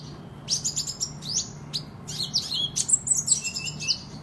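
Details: Sunbird known as kolibri ninja in lively song for contest and tutoring: rapid high tweets and buzzy slurred phrases tumbling together, becoming denser toward the end, with a soft steady hum behind.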